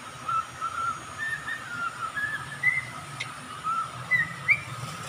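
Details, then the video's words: Songbird kept as a pet, singing short thin whistled notes, mostly steady with a few brief rising slurs, spaced irregularly about every second; faint steady background hum, no other animals. "Singing Bird/Nakakatuwa Pampatangal pagud"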